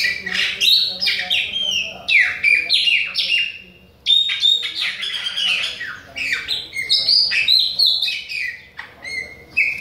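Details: Bahian chopi blackbird keeps singing at other birds, delivering loud varied whistled phrases with sharp drops and buzzes, broken by one short pause midway before resuming.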